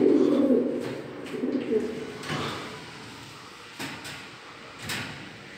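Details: Shiraz pigeon, a small-breed domestic pigeon, gives low, throaty coos that fade after the first couple of seconds; described as a good caller.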